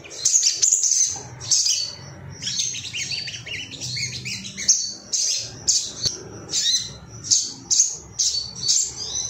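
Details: Agitated male ruby-cheeked sunbird seeking rivals: harsh, scratchy high chattering in dense bursts, then separated sharp notes about every half second.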